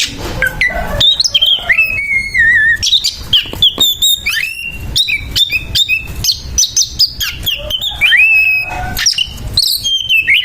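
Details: Fighting Oriental magpie-robin (kacer) giving a harsh, aggressive song packed with mimicked phrases: fast varied whistles, sharp rising and falling slurs and buzzy notes, loud and almost continuous, with short gaps between bursts.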